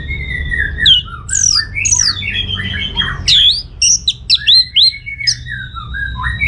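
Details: Full song of an orange-headed thrush meant to draw answering birds: a dense run of varied whistled and squeaky phrases, sharp downslurred notes and short clipped chips, loud and fast, with a low background hum.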